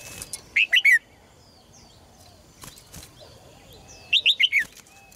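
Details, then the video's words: Red-whiskered bulbul in a cage, singing to spur males on: two bursts of three to four fast chirpy whistled notes about three and a half seconds apart, with faint twittering and rustles between. "นกหัวจุก birds - เสียงนกร้องในกรง กระตุ้นนกตัวผู้ให้ร้องอย่างแรง"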